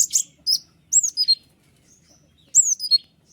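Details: White-winged triller, singing clear, tight 'ngeriwik' song used to train other birds. A few high, sliding whistled phrases drop in pitch, separated by a quiet gap of over a second.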